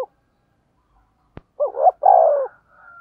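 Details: Spotted dove, a caged decoy bird used as a lure to draw in wild doves, gives a short cooing phrase of two quick low notes and a longer drawn-out coo after a sharp click.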